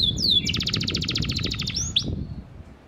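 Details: Panda canary singing prolifically as a lure to make silent canaries answer: a brief whistled slur, then a fast rolling trill of repeated high notes, ending with a short upswept note over low background rumble.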